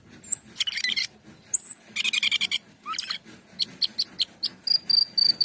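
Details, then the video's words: Jalak keling, the Asian pied starling, in lively 'gacor' song mixing pure high whistles with harsh buzzy bursts, ending in quick repeated high whistled notes, several per second, close and clear with little background. "Cucak keling gacor teler"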